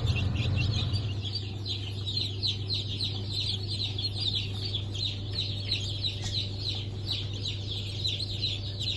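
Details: Newly hatched Blue Brahma, Porcelain Brahma, Sussex and Maran chicks, hatched 1 April 2024, keep up a dense, overlapping chorus of high, quick peeps. A steady low machine hum runs underneath throughout.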